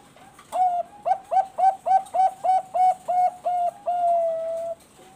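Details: Zebra dove, Bangkok-type perkutut, used as a lure recording to make other doves sing: a fast series of about eleven clipped, hollow coos repeated several times a second, ending in one long drawn-out falling coo.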